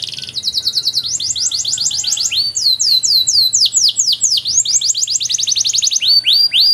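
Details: Canary master song for training other canaries, with long ornate phrasing: a brief high buzz, then runs of clear downward-swooping whistles repeated about four per second, changing speed from tour to tour.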